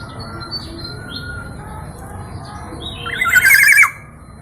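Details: Local Black-naped oriole from East Java, a singer with many melodious sound variations, gives one short, fast warbling trill of rapid repeated notes lasting under a second, over a steady low background hum.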